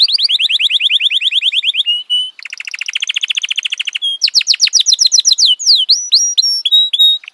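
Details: F1 canary singing: fast, evenly repeated high notes in rolling tours, changing to a lower rapid trill, then sweeping up-and-down whistles and sharp notes, in a quiet setting.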